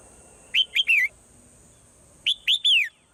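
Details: At morning a swallow repeats a three-note whistled phrase twice, about 1.7 seconds apart, two quick rising-falling notes then a drawn-out descending note, steady faint high hiss throughout.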